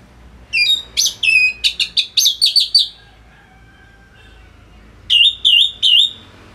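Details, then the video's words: Singing orange-headed thrush used to teach other birds: a rapid burst of about ten chirping, whistled notes, a two-second pause, then three matching loud slurred notes evenly spaced. "ANIS MERAH Gacor Suara Rapet Bagus Untuk Memaster Burung Punglor"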